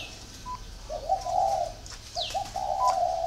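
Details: Spotted dove kept at a dove-breeding garden in northern Vietnam, giving two soft, low cooing phrases, each stepping up into a drawn-out mellow coo, with brief high falling chirps from other small birds nearby.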